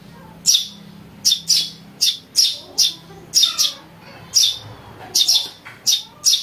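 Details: Harsh, high-pitched chirping from a Eurasian tree sparrow chick, used as a lure and for tutoring: around thirteen short notes in irregular singles and doublets across six and a half seconds, with a soft low hum beneath.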